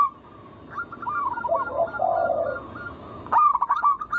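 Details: Local wild zebra dove song used as a lure to prompt other doves to sing: rapid rolling coo notes in a steady series, then a louder burst of quick repeated notes near the end. Lower, softer cooing sits underneath.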